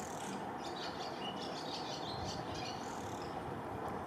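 Swallows twitter in quick runs of high, scratchy chirps, repeated through the few seconds over a steady background hiss.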